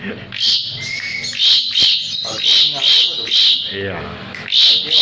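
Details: Actively singing Asian pied starling, recorded for teaching other birds: loud, evenly pulsed rasping notes about every half second, with a brief whistle early on.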